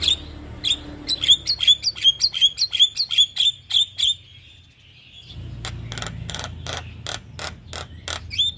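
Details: Javan myna recorded as a training song for caged birds: a quick series of about twelve sharp, repeated chirps, then a pause and a burst of harsh clicking notes over low rumbling noise.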